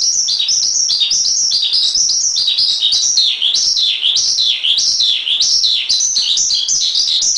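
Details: Javan pied starling (jalak suren) heard in a masteran song, delivering vigorous high phrases of chirps and deep-dipping slurred notes in an irregular rhythm, with only brief dips between bursts.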